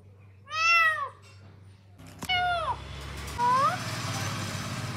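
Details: Green parrot kept as a pet, noted as talking: a loud, drawn-out harmonic squawk, a second falling screech, then a shorter rising call over steady room hum and background noise.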